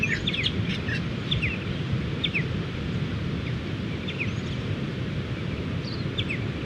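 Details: Many Striated Pardalotes around their sand-dune nest burrows on a New South Wales beach, flying and play fighting on a morning, recorded on a phone. Paired, sharp descending chips repeat every second or so against a loud wash of surf.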